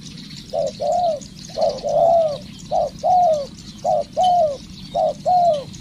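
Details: Spotted dove in training as a decoy: repeated low cooing phrases, each a short clipped note followed by a longer, gently falling coo, given about once a second against a steady faint background hiss.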